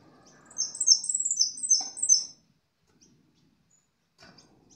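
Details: European goldfinch, locally called jilguero amarillo, singing: a quick burst of high, bright twittering notes lasting under two seconds, followed by near silence and a few faint chirps.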